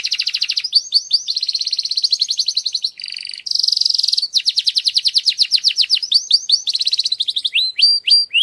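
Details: Loud canary song aimed at readying females for breeding, mixing fast buzzy rolls, rising whistled chips and a brief harsh burst, before closing with looping slurred whistles.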